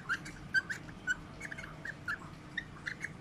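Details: Whiteface Lutino (albino) cockatiel during mating, giving short, chirpy, slightly scratchy notes about twice a second, some louder and brighter than others, over a low background hum.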